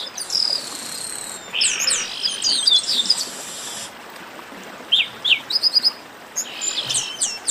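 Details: Noisy garibaldi chorus, a 'baderna' of Chestnut-capped blackbirds: busy overlapping whistles and chips, then a short lull broken by sharp, rapid notes.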